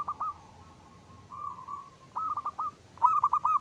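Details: Soft rolling trill from a local zebra dove singing in the crisp 'ngristal' style for luring, followed by two quick bursts of loud clipped coos.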